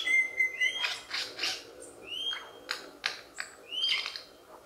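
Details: Lyrebird from the forests of Australia mimicking other sounds to attract females: a mix of steady whistled notes, short upward-sliding whistles and sharp broadband clicks and snaps.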